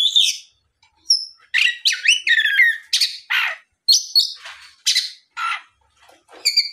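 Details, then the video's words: Oriental magpie-robin singing loudly in the afternoon as a lure to provoke other magpie-robins to answer; varied high phrases of whistles, slurred notes and harsh scratchy bursts, separated by short silences. "SUARA PIKAT BURUNG KACER GACOR NGEPLONG SORE MEMANCING KACER LAIN SUPAYA LEKAS BUNYI NYAUT & GACOR !"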